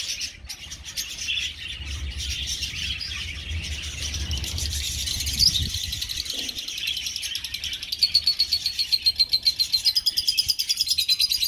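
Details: Aviary budgerigars in a colony give steady, crowded twittering chatter, joined near the end by a clear, thin whistled note over rapid, evenly pulsed ticking.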